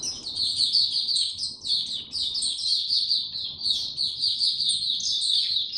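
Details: Singing caged white-eye on 29 April 2022, no health supplements given, in a low-energy state: rapid high chirps and buzzy trills, flowing continuously with small pauses between phrases.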